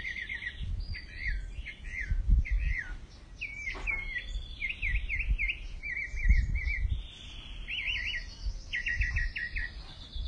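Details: Mockingbird delivering varied song phrases, zigzag whistled notes repeated three to five times in a row, then a new pattern, with soft low rumbles in the background.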